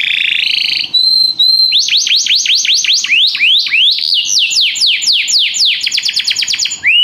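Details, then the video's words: Canary song with a striking rhythm: a loud, rapid series of clear whistled notes, each sweeping steeply up then falling, delivered in fast repeated trills that speed up toward the end. "o canário canta num ritmo espetacular!!"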